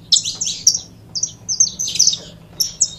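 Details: Saffron finch producing bursts of high, slurred chirps separated by short gaps, some notes thin and whistled, with a low hum underneath.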